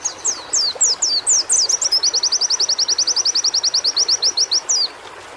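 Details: White-eye singing, from audio meant to lift a pleci's fighting spirit: several high down-swept whistles lead into a long, fast, even series of repeated sharp notes, closed by one more falling sweep.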